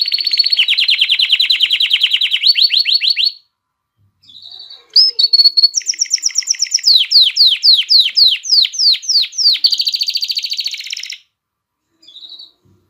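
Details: Excited male canary singing to prepare females for mating: long fast trills of high buzzy notes, a brief pause, then rapid descending sweeping whistles and another dense trill, ending with a short chirp.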